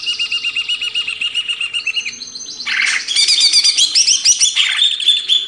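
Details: Greater green leafbird, a cage bird, singing a training song: a fast run of repeated chattering notes, about four per second, then a louder, richer stretch of varied whistles and buzzy trills.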